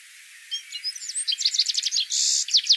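A citril finch sings a quick, high, tinkling twitter of varied chirps, with a brief buzzy trill near the end, over a quiet background.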